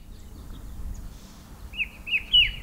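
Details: Himalayan shrike-babbler on a bare pear tree in an orchard and botanical gardens in the hills gives its cheery call: three quick, bright, slightly slurred notes about a third of a second apart, over a low background rumble.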